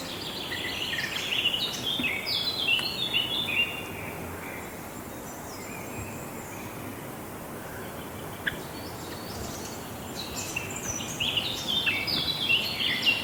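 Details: Java sparrows giving thin, high chirping notes in loose clusters, strongest in the first four seconds and again near the end, over a steady background hiss.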